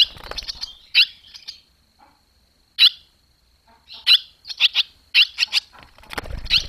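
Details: Barn swallows around a nest where young are fledging, 21 July 2023; scattered sharp chirps at varying intervals with short gaps of silence and a little low rustling.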